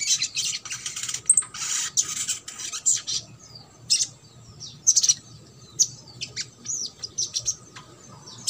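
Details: Crimson sunbird in trotol style, a lure for birds that will not sing: busy high twittering bursts first, then sharp, piercing chirps spaced roughly every second.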